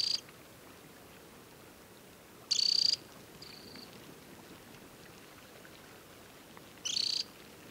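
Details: Adult Temminck's stint, banded, at a mountain lake on Norway's Hardangervidda in early July; three brief, shrill, rapidly pulsed trills spread over eight seconds, with a soft high whistle after the second and light background hiss.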